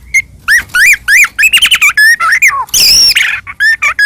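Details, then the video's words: Medan-type white-rumped shama in energetic song to stir other shamas into singing: rapid varied whistles arching up and down, a falling slurred note, a loud harsh rasping burst, then clear short whistles again. "murai batu gacor AMPUH buat PANCINGAN murai batu agar bunyi jadikan burung murai gacor NYAUT"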